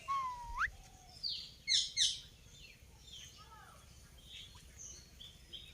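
An Indian ringneck parakeet gives a whistled rising note, then a burst of harsh, high screeches before softer chatter, over a faint background hum.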